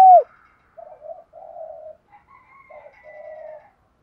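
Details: Decoy spotted dove calling to lure wild males: one loud short falling coo at the start, followed by a string of soft, low, muffled coo notes.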